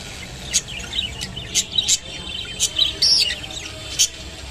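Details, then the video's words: Budgerigar of the rainbow variety eating kolmi shak, uttering separate sharp high chirps roughly every half second, plus one longer warbled note around the middle. "rainbow budgerigar eating kolmi shak II বাজরিগার পাখি পালন"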